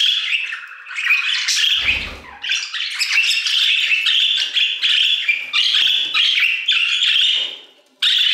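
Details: Several budgerigars singing together in an aviary: a dense, continuous chattering warble of buzzy and squeaky notes, with a brief low thump near the two-second mark and a short pause before the chatter resumes.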